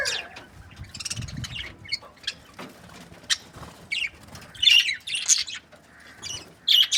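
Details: Budgerigars in breeding pairs, described as happy, giving scattered short chirps and harsh squawks in uneven bursts, louder toward the end, with soft fluttering and low rustling between calls.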